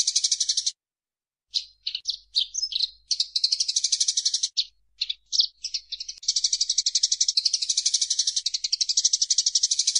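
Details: Eurasian tree sparrow recorded as a training recording for songbirds, singing in lively 'gacor' fashion: a brief rattle, a pause, scattered sharp chirps, then a long unbroken buzzy trill to the end.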